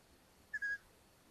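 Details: At a Hungarian long-eared owl nest, 13 May 2022, while the mother brings a mouse to her chicks, one brief, high, level whistle is heard in two quick parts against soft background noise.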